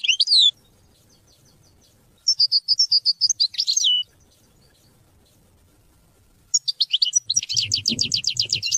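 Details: European goldfinch singing, offered to teach and motivate hunting and mating: short bursts of high twitters and a wavering, nasal phrase separated by silences, ending in a fast, repeated metallic trill with faint low background noise.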